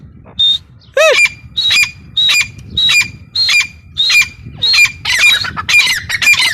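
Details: Female grey francolin, known locally as teetar, giving a steady run of shrill paired notes, high then slightly lower, about twice per second, becoming faster and more overlapping toward the end; quiet background.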